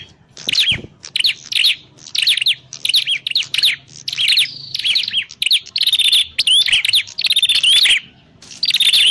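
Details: Lure recording of a prinia for bird trapping: rapid, almost continuous runs of high, scratchy chirps in short bursts, later joined by thin whistled notes that rise and fall.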